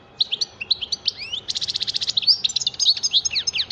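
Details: Goldfinch song with scattered bright chirps leading into a rapid buzzy rattle, followed by fast tinkling, twittering notes in a busy continuous stream.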